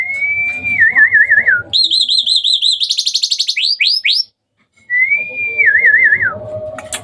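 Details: Hybrid Asian pied starling in full night-time song: a long whistle that breaks into a wavering trill, then high rapid chattering notes and sweeping upslurred whistles, a brief silence, and the wavering whistle repeated.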